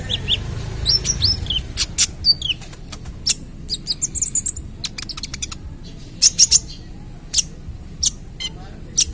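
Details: Ruby-cheeked sunbird at the speckled young-plumage stage, in full active song used as a lure for other birds: rapid high, thin chirps and sharp clicks, short scattered bursts of quick trills and upslurred whistles, over faint low background rumble.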